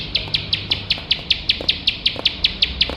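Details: Bar-winged prinia, 'nembak' style song for training competition birds: thirteen sharp, high chirps in three seconds, evenly paced, with occasional faint lower ticks.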